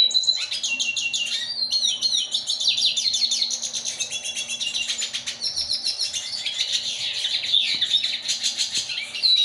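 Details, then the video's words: Hybrid of a yellow-bellied siskin and a female red siskin singing a long, rapid, high twittering song of trills, chirps and buzzy rising and falling notes, with a low steady hum beneath. "yellow bellied siskin x red siskin"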